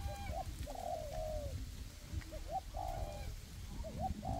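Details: Decoy spotted dove in a forest during trapping: soft, short coos and upslurred notes repeated at intervals, over strong low-pitched background rumble.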